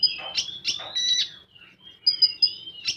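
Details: Common iora singing the full tembakan style: clear high whistles and a buzzy burst, then a near-silent gap, followed by a run of three piercing high notes and a final sharp burst.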